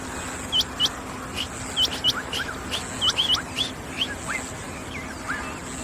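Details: A female rain quail (Coturnix coromandelica) gives sharp, high, hooked notes in quick pairs, about every second, fading toward the end, over a steady high insect-like hiss and low hum.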